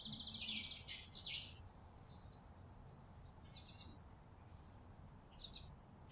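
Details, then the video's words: Chickadees feeding on a porch in December winter. A short rapid buzzy run is followed by a sharp chip. Faint, spaced high notes then continue against a quiet background. "Playful Winter Chickadees On The Porch"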